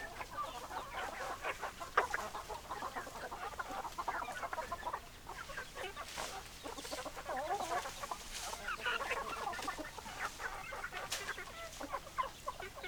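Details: Chickens in a flock, hens clucking continuously at a moderate level, layered clucks and soft grumbling notes with occasional sharp taps.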